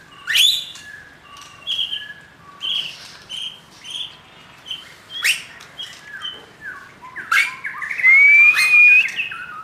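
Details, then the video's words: Young wild white-rumped shama singing a varied run of whistled phrases: short clear notes and slurred whistles, some rising, with sharper chirps and a long rising whistle near the end, about two notes each second. "Murai muda hutan volume tembus"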